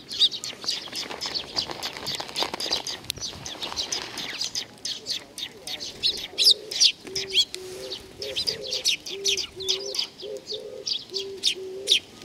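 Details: Sparrows gathering for food at Tenmangu shrine, Nakanoshima, 7 June 2020: constant bright chirping from many birds throughout, joined in the second half by a repeated low cooing note, with faint outdoor background noise.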